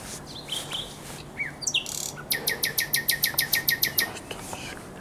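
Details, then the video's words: Nightingale song at the Żerań Canal, night of 23/24 April 2022: scattered whistles and a rising note open, then a fast, even series of about fourteen clipped, bright notes, with a faint low hum behind. "Śpiew słowika rdzawego"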